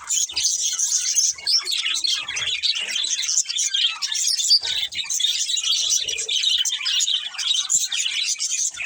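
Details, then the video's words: Pet budgies in lively chorus, keeping up a steady stream of high, scratchy twitters and chirps that overlap for the whole stretch. "Cute Budgies Chirping Sounds"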